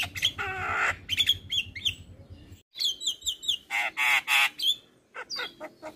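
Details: Singing male Javan myna, a head-bobbing 'gacor' bird used as a training master: grating buzzy bursts alternate with short descending whistled notes repeated in a row, then a brief pause and more harsh notes.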